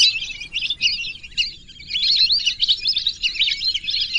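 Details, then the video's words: Whistling ducks giving high, slurred whistles in quick succession. The chorus dips briefly in the middle, then resumes as a thick, chattering stream. "whistling dack call/sound /বালি হাসের ডাক/শরালী পাখির ডাক"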